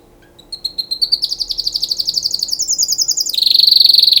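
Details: Canary singing for mating: a rapid train of high, evenly repeated notes, about four per second, climbing in pitch and ending in a louder, denser trill.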